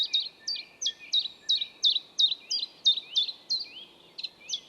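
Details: A common chiffchaff (Phylloscopus collybita) in Estonia sings a steady run of sharp, high notes alternating up and down in pitch, about two or three a second, over faint background hiss.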